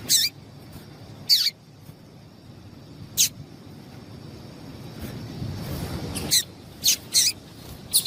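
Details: Call of a female yellow-bellied seedeater, meant to get males excited and singing: scattered high, sharp chirps, several with a falling tail, separated by pauses, with a low rumbling noise in the middle.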